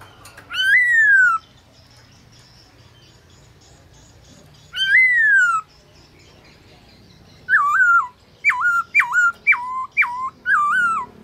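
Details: Caged black-throated laughingthrush singing at midday, used for training other birds: two long, loud, clear whistles sliding downward, then a quick run of shorter looping whistled notes, in otherwise quiet surroundings.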